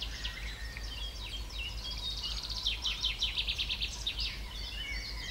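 A Eurasian wren pours out a fast, high, tumbling song of rapid trills and twitters without pause, over a low steady rumble of background noise.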